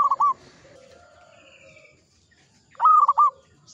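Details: Vigorously singing local zebra dove: a short stuttering coo at the start, then after a pause a fuller burst of rapid rolling notes, while a thin high whistle and soft background birdsong fill the gap.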